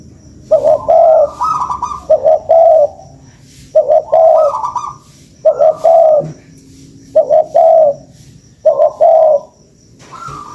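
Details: Spotted dove lure call, a series of about six rhythmic phrases of mellow, throaty coos, each starting with a soft burr and ending on a higher note, repeated every one and a half seconds.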